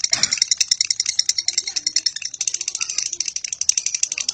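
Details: Continuous harsh, high-pitched lovebird chatter, a ratchet-like series of scratchy chips pulsing about twice a second, with a brief louder burst at the start.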